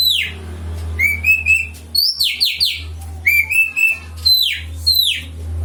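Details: Oriental magpie-robin song, played as a lure to make a kept bird sing: high, clear whistled notes and sharp downslurred phrases in short bursts, over a steady low electrical hum.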